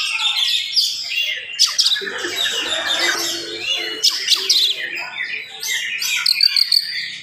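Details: Oriental magpie-robin singing energetically in the morning at a fast, dense pace, meant to provoke other magpie-robins; a busy jumble of high chirps, whistles and trills, with some overlapping noise and faint low sounds in the background.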